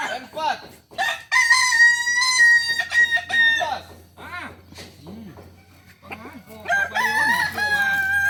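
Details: Kokok balenggek rooster at a latberan session in Solok: a long harmonic crow held steady then breaking into stepped notes, followed by voices talking and a second loud multi-step crow, other birds calling faintly behind.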